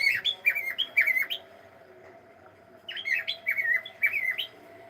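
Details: Cockatiel saying hello, a pet bird giving two clusters of bright, quickly repeated chirps with rising and falling inflections, split by a second of quiet.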